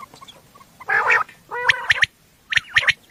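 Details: Night call of a common quail, played for hunting: three harsh, buzzy rasping bursts with a few short sharp clicks in between.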